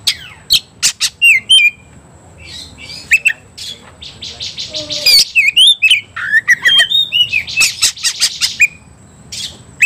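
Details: Oriental magpie-robin (kacer) provoked to fight: scattered clicks and short whistled notes, a pause, then a quickening run of whistles, harsh bursts and chattering notes.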